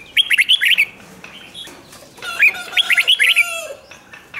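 A red-whiskered bulbul gives two bursts of rich, bubbling whistled phrases, quick notes rising and falling around a bright mid pitch, with a second bird faintly behind.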